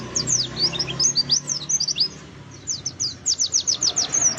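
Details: Oriental white-eye singing a forest-style lure song to coax birds into full song: bursts of very high, thin, downslurred chirps, a brief lull, then a fast regular series of sharp descending notes.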